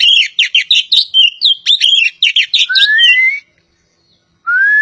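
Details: Javan pied starling, a kacer poci from Java, singing loudly: a fast run of sharp, varied whistled and chattering notes for about three seconds, then long rising clear whistles sliding upward, one after a short pause.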